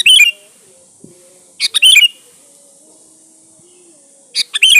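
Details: Kutilang (sooty-headed bulbul) song used to attract other birds: short lively bubbling phrases, each a few staccato notes and a fuller trill, returning about every two and a half seconds over steady hiss.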